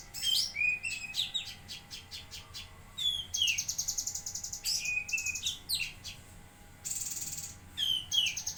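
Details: Actively singing bulbul (cucak kinoi) from Jambi gives a busy run of sharp chirps and clear downward-sliding whistles, with a brief burst of hissing noise partway through.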